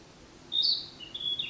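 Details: Male Narcissus flycatcher singing on 10 May 2026, a bird noted for mimicking a Chinese bamboo partridge early in its song; two high, clear whistled phrases, the first rising and loud, the second a level thin whistle dropping at the end, over faint background hiss.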